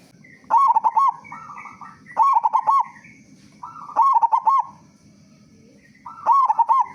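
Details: A local zebra dove with a powerful voice sings to coax other doves into song. Loud bouncing coo phrases of quick staccato notes repeat about every two seconds, each trailing into a softer trill.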